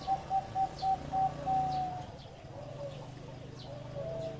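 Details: Zebra dove singing in the Thai 'tap' style: a run of short, clipped cooing notes at an even mid pitch, then longer drawn-out coos fading into a soft, uneven murmur.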